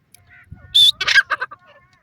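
A partridge gives a quick burst of about five loud, harsh, high-pitched notes over half a second, with faint softer calls before and after.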